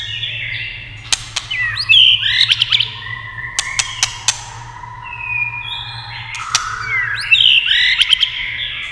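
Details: Singing white-rumped shama, set off by tail-tapping clicks: high sweeping whistles, buzzy flourishes and a long low steady note, with sharp taps between phrases.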